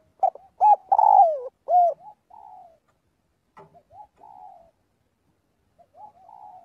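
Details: A spotted dove calls the flock during daily voice practice: a loud run of low, rounded coos with a long falling middle note, followed by softer, quieter coo phrases with short pauses between them.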